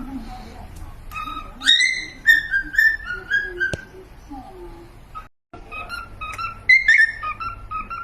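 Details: Pet cockatiels whistling short melodic phrases of bright rising and falling notes, separated by pauses, with a brief silent gap near the end.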